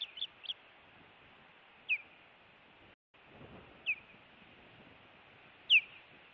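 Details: Osprey watched by a Montana nest cam on 16 June 2017, an intruder at the nest: a quick burst of three high chirps, then single down-slurred whistles at roughly two-second intervals over a low background hiss.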